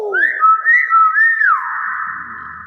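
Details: A common hill myna gives a clear, human-like mimicked whistle: a quick rise, two wavering swoops, then a long steady held note, with faint room noise behind.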